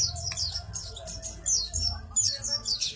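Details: Sogok ontong bird chattering in a fast, busy style: high, sharply descending slurred notes delivered in dense runs with brief pauses, over faint low background hum.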